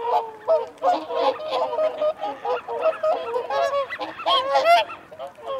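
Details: Whooper swans give feeding and territorial calls: loud, trumpeting honks in a rapid, overlapping chorus, several birds calling over one another with bugling, nasal notes.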